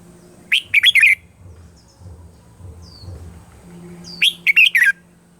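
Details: Red-whiskered bulbul morning song used to train birds' voices: two matching phrases of four bright, bouncy whistles about four seconds apart, over a steady low hum.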